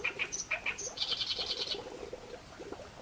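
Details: Reed warbler singing: harsh chattering notes, sharp chirps and a buzzy burst repeated quickly over steady background hiss.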